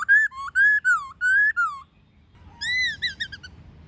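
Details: White-cheeked laughingthrush singing a wild-style, many-voiced song with a female calling, used to train young captive birds: loud whistled notes, some rising and some sliding down, in a quick burst, a pause, then a higher wavering phrase.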